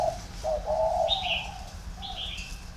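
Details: Spotted dove cooing warmly in the three-note thổ pha style at a Ba Vì, Vietnam bird farm. A brief mellow coo phrase is overlapped by two quick higher chirps from another bird.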